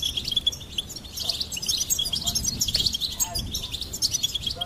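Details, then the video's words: Continuous high, bubbling twitter from a singing goldfinch, with fast chirps and short trills over a steady low hiss. "Goldfinch Singing and Song Compilation"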